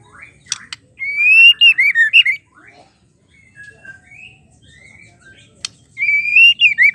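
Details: Female white-rumped shama calling, a sound used to provoke males into singing: loud, clear whistled phrases that rise and wobble, in two bursts separated by quiet softer notes, with sharp clicks between.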